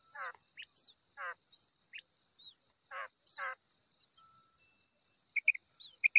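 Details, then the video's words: A female quail calls with short, raspy, rattling bursts at uneven intervals over a steady high insect whine, with a few sharp chirps near the end. "female quail call maadi batair ki awaz"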